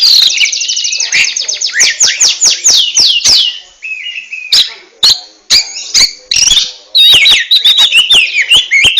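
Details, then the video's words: Oriental magpie-robin (kacer) in ngentrok style: a fast run of repeated short descending notes, several per second, then varied whistles, squeaks and sharp clicks in quick succession. "RAJA NGENTROK!!! Kacer super kicau"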